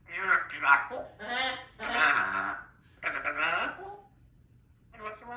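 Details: Young female African grey parrot practising her words in the morning, producing speech-like phrases in several bursts with pauses between them, in a quiet indoor setting.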